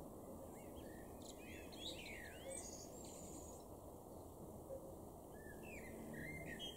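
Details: Male Common Blackbird, garden in Weener, East Frisia, northwestern Germany, May 2022. Warbling, swooping and descending fluted notes fill the first seconds, with a quieter phrase later, over continuous broadband background noise.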